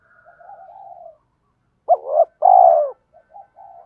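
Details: Cooing of a spotted dove, played to prompt other doves to start cooing: soft, low, wavering murmurs, then a pause, then a short swooping note and a loud, drawn-out croon, then quieter cooing again.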